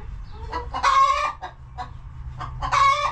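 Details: Coop chickens produce two loud, drawn-out nasal calls with short clucks around them and a quieter gap in between.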